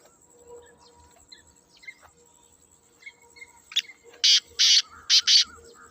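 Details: Black francolin (kala teetar) giving its natural call: after quiet background with faint chirps, five loud, harsh, grating broadband notes arrive in quick succession near the end, the last two closely paired.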